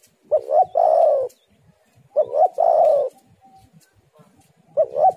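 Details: Spotted dove lure call: repeated phrases of two quick coos then a longer falling coo, about every two seconds, the last phrase cut short.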